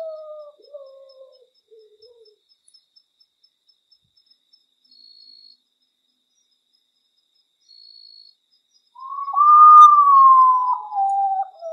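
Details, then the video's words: Potoo singing at midnight, a nocturnal bird known as the ghost bird: mournful whistled notes stepping down in pitch, a long silence, then a loud drawn-out whistle that slides slowly lower. "SOUND OF URUTAU AT MID NIGHT GHOST BIRD FROM THE SINGING SCARY SINGING OF URUTAU"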